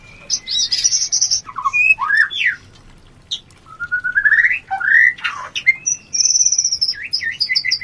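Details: Mating song of the white-rumped shama used as breeding-urge therapy: drawn-out pure whistles, rising slurs and a high sustained whistle, mixed with dry clicks and repeated short notes at the end.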